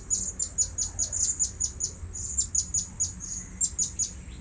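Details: Blue-crowned hanging parrot at a new luring spot, giving a rapid series of shrill, high chirps about three each second, steady and insistent throughout.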